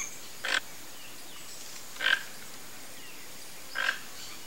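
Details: Three evenly spaced, harsh croaking calls, roughly every one and a half seconds, from a vocalizing toco toucan flock, over faint steady hiss.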